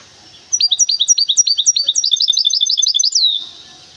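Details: Goldfinch hybrid from Temara, singing a fast run of sharp whistled notes that sweep down and repeat several times a second for about three seconds, ending in a slurred falling note; no other sounds.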